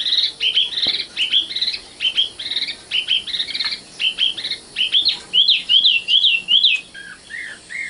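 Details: Common nightingale, a young 'matal' bird, singing: rapid bursts of sharp, high chirped notes in short repeated phrases, then a run of clear rising whistles and two lower slurred notes near the end.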